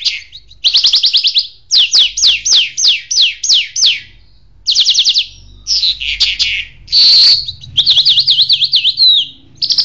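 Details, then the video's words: A Jal bird sings a long, varied, high-pitched full song of fast trills and rapid series of sharp downslurred notes, with brief pauses between phrases. "Jal bird mashadi full singing"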